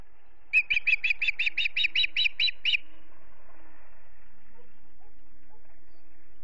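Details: Montana osprey at the family nest in Charlo, late day before sundown: one strong chirp, then a fast rattling sequence of about ten even whistled notes, followed by quiet with faint distant sounds.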